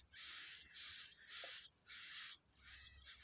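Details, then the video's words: Yellow-bellied prinia feeding its young in the wild: harsh, raspy broadband bursts repeated in a steady series, almost two per second, over a constant high-pitched insect-like hiss. "Burung ciblek rawa meloloh anakan nya di alam- Bird yellow-bellied prinia"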